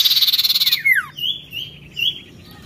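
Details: Oriental magpie-robin in gacor narung singing: a fast buzzy pulsed rattle, then sharp down-slurred whistles and a thin, wavering high trilled phrase.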